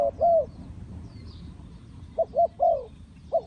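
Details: Spotted dove cooing: a short low coo, then a longer mellow arched coo, followed after a pause by two brief coos and another drawn-out coo, with a soft steady low rumble underneath.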